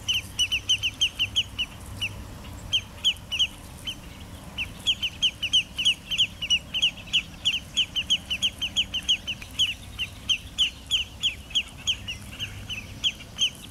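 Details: A territorial dispute between an adult and a juvenile Spotted Sandpiper at Jamaica Bay Wildlife Refuge, Queens, New York City: rapid, high, sharp peet notes in quick bursts of several per second, over a low rumble of background noise.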